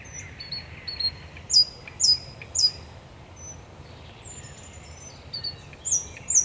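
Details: A thrush nightingale sings at night at the Raszyn Ponds on 10 May 2021, giving thin high whistles and sharp high notes spaced about half a second apart, followed by a near-silent pause and more high notes.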